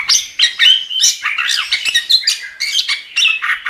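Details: Chestnut-capped thrush in steady gacor song used as a training recording: a dense, continuous warble of rich, scratchy and whistled phrases with no pauses.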